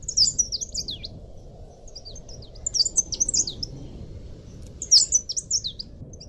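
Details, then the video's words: Leaf warbler singing for a cage-bird training recording: repeated rapid, very high twittering phrases of zigzagging slurred notes, several in quick succession, some dropping lower at their ends, over a low steady hum. "masteran burung cikrak daun / pare-pare"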